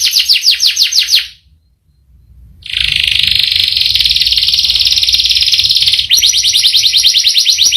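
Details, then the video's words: Canary singing with a rich repertoire and long rolling phrases: a fast trill of downward-sweeping high notes, a short silence, then a long sustained buzzy roll lasting over three seconds before the quick trill returns. "Burung kenari gacor ngerol panjang"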